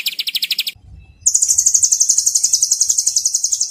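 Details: White-rumped shama training song featuring rapid 'tembakan' fill. A quick burst of repeated chips, a brief pause, then a long, piercing, very high trill of closely packed notes.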